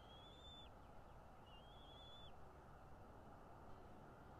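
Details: At a North East Florida nest, a bald eagle recorded by nest camera on the morning of 13 February 2022 gives two high, thin whistles about a second apart, each rising slightly then falling away steeply, against constant low background rumble.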